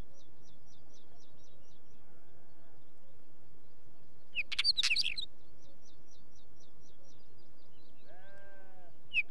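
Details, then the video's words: Wheatear song: faint rapid ticking notes, a brief burst of scratchy, crackling warble in the middle, then a soft bleat-like sound near the end over a quiet background. "Wheatear song"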